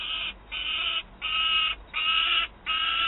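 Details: Peregrine falcon in Wałbrzych, Poland, 27 August 2022: a fed juvenile screeches while an adult has prey. Four long, harsh, nasal screams with short breaks, the middle ones longest and loudest.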